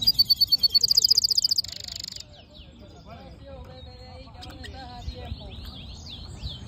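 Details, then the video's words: Black-hooded yellow siskin mule singing: a loud, rapid, high trill of repeated notes for about two seconds, then a shift to a buzzier trill. Faint, scattered twittering follows over low background rumble. "Black HOODED yellow siskin mule | Cabecita negra CD | Carduelis singing"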